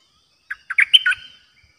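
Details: A single bubbly 'dok' phrase from a Streak-eared bulbul kept caged as a new decoy bird, 06/05/2022: a separate chirp, then four quickly linked warbled notes, the fourth the sharpest, in near silence.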